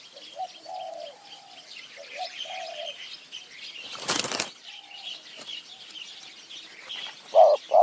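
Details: A wild spotted dove in tall mountain forest is being lured by a decoy bird. It gives soft, hollow coo phrases in short clusters, then a sharp burst of flapping wings midway, then a loud close coo at the end.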